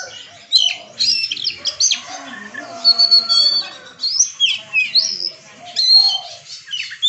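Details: Oriental magpie-robin in 'bongkar isian' performance, delivering sharp high whistled sweeps and chattering phrases in repeated bursts about every second, with softer background bird sounds.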